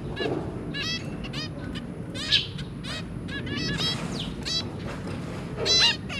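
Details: Zebra finches, two adults and three babies, recorded on 23 January 2022, trading brisk nasal honks and beeps in irregular bursts, some overlapping, over low background noise.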